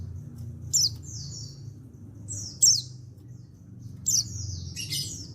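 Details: Untrained male white-eye from Pacitan calling so other white-eyes join in. Each sharp high note is followed by a longer buzzy downward trail, three or four bursts in all, over a noticeable low hum.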